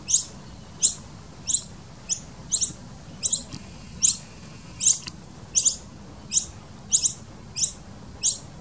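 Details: Begging noisy miner babies in a garden nest tucked into a tree fern hollow, fed by the adults; sharp, very high squeaky notes repeated at an uneven pace, about one or two per second, over steady low hiss.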